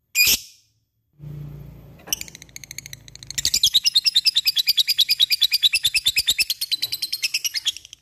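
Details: Lovebird opens with one sharp cik note, then after a faint low hum breaks into ngekek chatter, a fast steady rattle of harsh high pulses lasting about five seconds.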